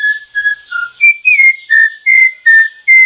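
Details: Clear whistled notes from a troupial, steady or gently sliding, delivered in a quick regular series of about eight phrases with brief gaps, over a faint high background hiss.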